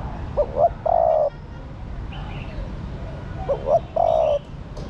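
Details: Female spotted dove calling to stimulate the male; two soft cooing phrases, each a couple of short notes then a longer drawn-out coo, over steady low background hiss.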